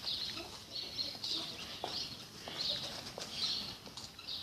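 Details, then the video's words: Sparrows at a bird park giving quick bursts of high, bright chirps that overlap in a busy flock chatter, with a brief rustle or flutter in between. "Парк птиц Воробьи"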